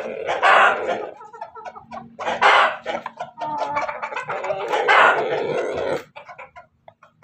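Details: Chicken of an Ayam Ketawa and Pelung cross, Banguntapan, Yogyakarta, Indonesia, crowing as it prepares to lay: three strong hoarse bursts roughly two seconds apart, linked by chattering clucks, with a faint low hum behind.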